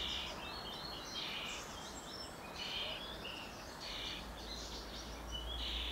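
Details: Juvenile common starling close to fledging, begging for food and being fed: rough, hissing rasps in loose clusters, some overlapping, spread unevenly through the stretch, with low rumbling background noise.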